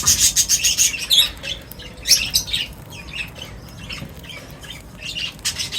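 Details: Busy chirping from birds gathering for a meal. Rapid high tweets come about three a second at first, then irregular squeaky notes and twittering calls.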